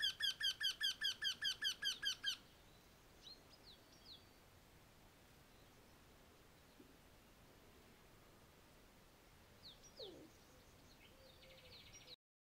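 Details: A Eurasian wryneck calling from a walnut tree in Bulgaria on 19 April 2021 gives a quick run of about a dozen nasal, ringing notes over two seconds, then falls silent; faint distant chirps from other birds follow.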